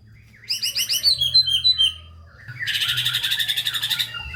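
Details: White-rumped shama song for stimulating lazy shamas: a run of bright repeated chirping notes sliding down in pitch, a brief pause, then a fast buzzy rattling trill; faint low hum.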